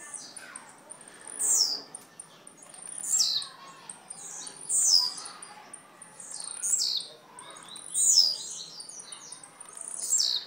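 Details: Blue-black grassquit from Jacarepaguá, Rio de Janeiro, singing six times at an even pace about every one and a half seconds, each phrase a sharp high buzz dropping steeply in pitch.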